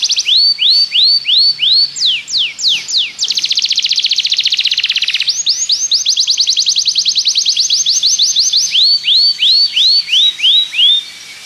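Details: Belgian canary singing for canary training, a varied phrase mixing rising arched whistles, falling sweeps, a dense rapid rattle, quick repeated upsweeps and a closing series of curved whistled notes.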